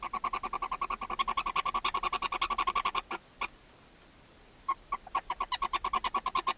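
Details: Barn owls in a nest box in Ságvár, Hungary, May 4, 2024, the mother feeding her seven owlets: fast clucking chitter at roughly three pulses per second, pausing about a second before resuming.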